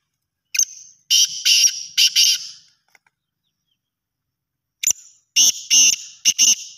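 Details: In Pakistan, in very cold weather, a black francolin gives two harsh, grating phrases of about five clipped, scratchy notes each, separated by a couple of seconds of quiet.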